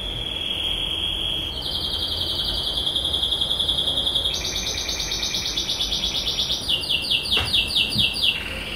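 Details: White dominant canary singing in 2019: long steady trilled tours at high pitch, each rapid rolling phrase held about one and a half seconds before switching to a new pitch, with buzzy and stuttering sections near the end.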